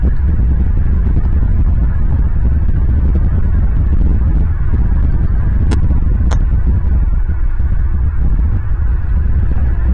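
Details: Loud low wind-like rumble fills the recording, broken by two brief sharp clicks; no animal calls are heard.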